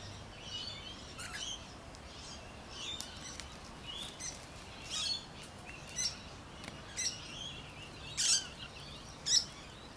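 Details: Rainbow lorikeets in backyard trees in the city of Adelaide: harsh, screechy chirps in short bursts about once a second, the strongest ones near the end, over a steady low background hum.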